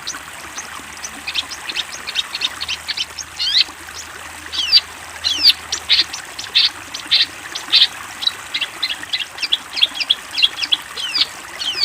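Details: Long-tailed shrike master song for teaching young birds: a long, busy run of short high notes and quick downward and upward sweeps, irregular at first, then more even, loud chips repeated about once a second, with faint hiss behind.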